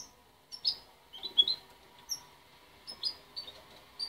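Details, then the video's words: Parent-raised young goldfinch hybrid, separated at 23 days and still developing its song, gives scattered high, sharp chirps and short squeaky notes, spaced irregularly about once a second, over a faint background hum. "Mixto de jilguero joven"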